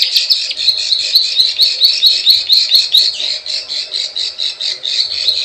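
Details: Buzzy, grating plain prinia notes repeated a little over twice per second in the 'klik klik ciwah' lure style used to attract wild birds, a few clicking ticks at the start.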